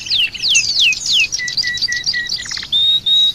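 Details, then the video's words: Oriental white-eye song used as a tutor recording: quick high whistles sweeping steeply downward, then steady piping notes, a brief dry rattle, and long level whistles. "Masteran Keras!!! Pleci"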